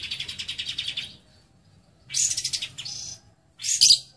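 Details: Lovebird singing in the 'isian cililin' song style: harsh, buzzy rapid chattering bursts about a second long, separated by short pauses, with a faint low hum beneath.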